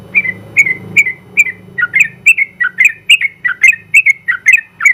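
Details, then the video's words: Prize-winning Sooty-headed bulbul singing 'ropel' song meant as tutor material: about seventy liquid whistled notes per minute, slightly uneven, some rising and others swooping down, with a faint low hum behind. "KICAU Suara Burung Trucukan Gacor ropel panjang ampuh buat masteran trucuk"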